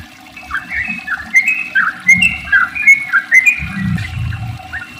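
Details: Sooty-headed bulbul giving a long rolling song, used to prompt other bulbuls into song: soft liquid whistled notes in loose, irregular phrases, fairly quiet against low background rumble.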